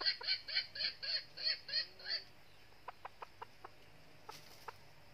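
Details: Decoy red junglefowl hen, red-eared type from northern Vietnam, calling to lure wild males to a trap: eight loud, nasal, evenly spaced notes about every quarter second, then a few soft scattered clucks.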